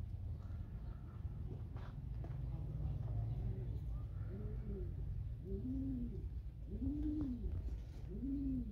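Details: Pigeon cooing: low, arched, rounded coos repeated roughly once a second through the second half, with steady low hum and faint voices behind.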